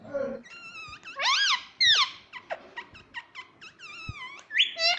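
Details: Pet talking parrot indoors, said to repeat 'mummy' and 'papa'. A dense string of squeaky, warbling, voice-like syllables, swooping up and down, with short clicks between the phrases.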